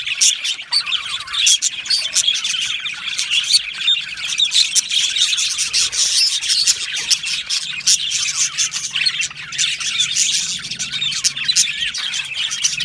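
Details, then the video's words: Australian budgies in an aviary colony, a dense steady chorus of high chirps, twitters and short warbles from many birds overlapping without pause, with scratchy clicks mixed through. "Australian Budgie parrot sounds | Budgie parrot chirping sounds"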